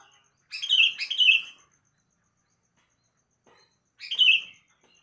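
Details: Sooty-headed bulbul heard in the morning giving two quick chortling, liquid phrases back to back, then a pause of about two and a half seconds and a single similar bubbly phrase; otherwise quiet.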